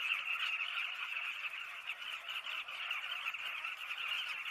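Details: Massed calls of Southern carmine bee-eaters, countless short overlapping notes merging into a continuous rough din that swells slightly at the start.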